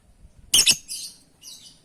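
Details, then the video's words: A lovebird calling for companions gives a loud double shriek, harsh and high, followed by fainter raspy chatter over a low background rumble. "Suara burung love bird memanggil kawan"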